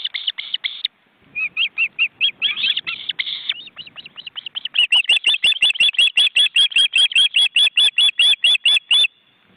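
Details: Osprey family with nearly grown, wing-flapping chicks at a nest in an Estonian forest reserve, on a live webcam. A long, rapid string of high, sharp whistled chirps, about two or three per second, becoming cleaner and more even in the second half.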